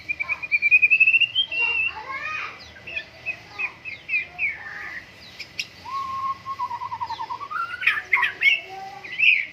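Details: White-rumped shama singing vigorously during morning dew airing: a rising trilled whistle opens, followed by varied sweet whistled phrases, a low wavering whistle midway, then bright rapid notes, with a steady faint hum behind.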